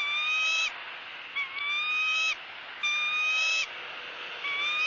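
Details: Female bald eagle in Southwest Florida begs while her mate tears up a fish and offers her bites. Four shrill, harmonic squeals, some slurring upward at the start, come in quick succession.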